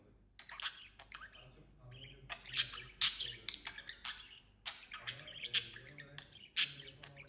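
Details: Budgerigar kept indoors and being taught to talk, chattering in an irregular warble of short scratchy chirps and clicks, with a few louder sharp notes and a low hum in the background.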